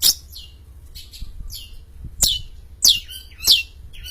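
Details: Champion long-tailed shrike singing actively, giving high, sharp notes that slide steeply downward, several in a row about every half second, between softer scratchy sounds.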